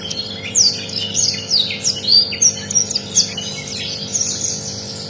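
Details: Rare canary song meant as a tutor recording: a fast string of high, sharp chirps and short trills, rising and falling, over a steady low hum.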